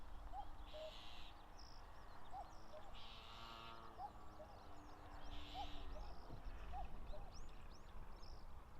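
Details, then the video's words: Territorial common cuckoo, wild, on the broad plains below Mount Fuji in late May: repeated falling two-note cu-coo calls roughly every one and a half seconds, with bursts of buzzy trilling and scattered small bird notes. "カッコウ 鳴き声 縄張り争いに忙しい"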